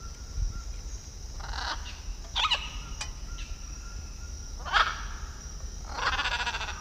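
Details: Blue-and-yellow macaw in Peru giving harsh, broadband squawks in separate bursts over steady background hiss and a faint whistled tone.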